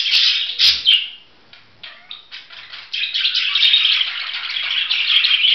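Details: Budgerigar giving a dense, scratchy warble of rapid squeaky notes and clicks; a sharp knock and a brief lull early on, then a continuous bright, rolling chatter to the end.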